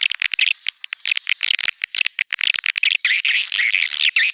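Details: Swiftlets in a neutral sound: rapid ticking chirps and thin high whistles, becoming a dense buzzy twittering chorus in the second half.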